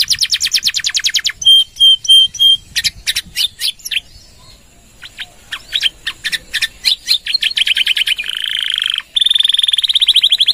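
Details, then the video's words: Actively singing canary delivering long 'nembak' trills, meant as tutor song for other birds. A fast high trill, a few clear repeated whistles and bursts of clicking notes come before a short lull, then a steady buzzy roll and a final rapid trill. "Suara Kenari Gacor | Full Nembak Panjang!!"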